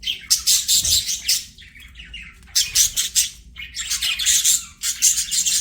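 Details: Budgerigars singing and playing, pouring out loud rapid high chirps and buzzy chatter in three long bursts separated by quieter moments of softer twittering.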